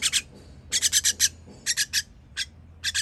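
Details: Baby birds being fed, 21.06.23: quick, hoarse, hissy rasps in groups of two to five, sharp and high, over a faint low drone.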